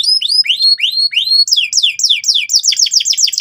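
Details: Canary singing hard and loudly to teach young birds the trill: a few slow rising whistled sweeps, then a fast series of sharply descending notes repeated several times per second.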